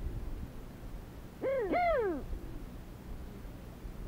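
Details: Desert sandgrouse from flocks coming down to drink water, recorded with a Sony HDR-CX405: a quick doubled call, a short note then a longer ringing arched one sliding downward. A light low rumble sits in the background.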